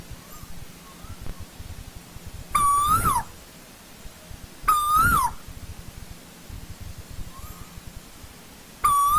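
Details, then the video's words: Old-growth forest recording of an Asian koel giving loud, ringing whistles about two seconds apart. Each note holds level, lifts, then falls off abruptly, with a faint softer note between calls. "Tiếng chim TU HÚ rừng già"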